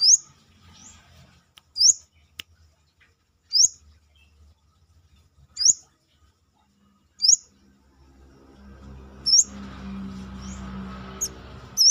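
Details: Brown-throated sunbird singing steadily outside its cage: sharp, very high, upward-hooked chirps repeated about every two seconds, with a low rumbling background noise rising near the end.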